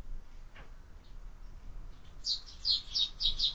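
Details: Sparrows at a window-mounted feeder during lunchtime, fed year-round; after a quiet start with a faint low rumble, a run of bright, high chirps comes in rapid succession over the last second and a half.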